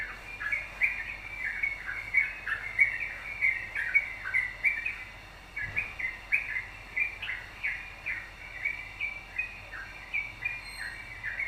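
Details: Yellow-vented bulbul singing vigorously, used to goad other birds into singing: long, dense stretch of bubbly chattering chirps, pausing briefly midway, then resuming with equally rapid slurred notes.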